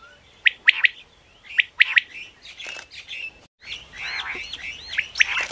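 Common quail giving sharp, high three-note phrases about a second apart, followed by a busier run of squeaky, chirping notes.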